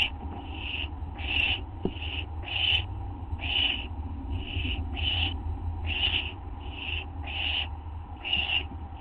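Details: Barn owl owlets begging as parents bring food, 15 August 2011 at 5:59 AM; a dozen evenly spaced rasping hiss bursts, with one sharp knock near the start and a low constant hum throughout.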